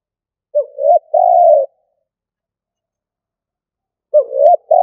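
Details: Spotted dove decoy giving 'cà lăm' style coos. A rising, hiccuping double note runs into a long, steady hollow coo. After a two-and-a-half-second silence a similar stuttering phrase begins.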